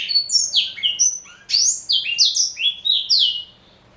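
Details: Pet male black-throated canary, aged four, a Somerini x Botswana cross fed seeds and vegetables, delivering a lively sequence of quick downslurred whistles and chirps, tightly spaced in a rolling melodious phrase that stops abruptly after about three seconds.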